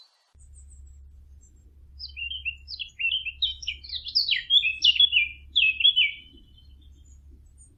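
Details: After two quiet seconds over a low steady hum, birds break into rapid, varied high chirps and short whistled notes, which build and then fade out after about six seconds.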